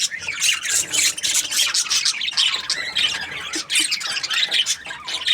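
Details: Happy budgies chirp in rapid, squeaky, warbling phrases, nearly continuous, with sharp clicks and tweets mixed into the chatter.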